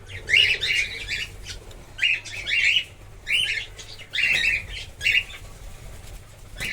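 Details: Cockatiels in a breeding colony giving repeated harsh, squawky chirps in short bursts about once a second, several overlapping, over a low background rumble.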